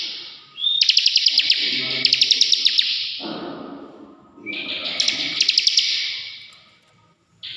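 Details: Bar-winged prinia, a caged bird singing to spur other songbirds: loud buzzy high trills with rapid clicking ticks, two bursts each lasting about two seconds, separated by a short pause; faint low background noise.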